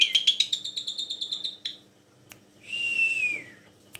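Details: Black-collared starling, a tame bird used to prompt other birds to sing, delivers a fast stuttering series of high notes, falls silent, then gives a long whistle dropping smoothly in pitch.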